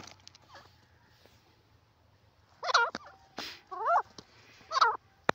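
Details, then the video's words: Francolin (teetar) calling: after a quiet start, four loud harsh, grating notes with wavering, rising-and-falling pitch come in quick succession over about two seconds, over a low steady hum, ending with a sharp click. "Teetar ki awaaz part 18"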